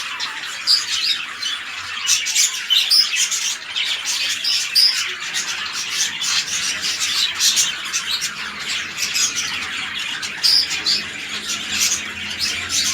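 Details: Captive red-eye lutino budgerigars at a breeding setup with a king-size male and undersize female; dense, continuous high chirping and squawky chatter with occasional sharp whistled notes standing out, steady throughout.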